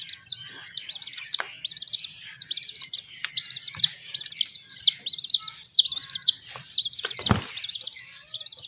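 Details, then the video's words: Many small hen chicks peep in a steady chorus of high, curved chirps about twice a second, with a short rustling thump near the end. "Watch These Adorable Little Hen Chicks 🐥 | Raising Baby Chicks | 100% Origional Voice"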